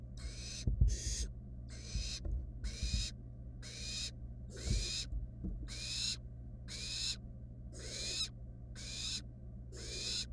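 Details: Eleven short, quick, wheezy hisses roughly once a second from wild barn owl nestlings in a nest box as one snatches a rat from its sibling; soft bumps and a low hum underneath.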